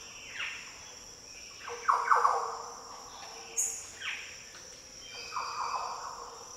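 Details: Green Orioles calling in the Daintree rainforest of tropical northern Australia: deep, fluty song phrases, each a slurred downward note or rich rolling burst, come every second or two, with one thin high note and a constant high insect drone behind.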